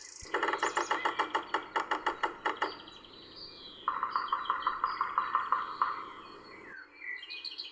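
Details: A Yellow-bellied Sapsucker, a spring passage migrant, by the Ohio & Erie Canal towpath in Ohio in April 2020, gives about fifteen quick nasal, harsh notes, then a steadier burst of buzzy, rapid calls on one pitch.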